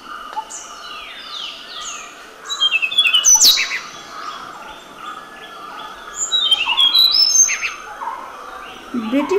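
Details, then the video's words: Tickell's blue flycatcher (Cyornis tickelliae) in Maharashtra, India, sings high, sweet, tinkling phrases of quick sliding notes, some rising, some falling. Other birdsong overlaps, with possible faint speech in the background. "Tickell's Blue Flycatcher | Bird Song"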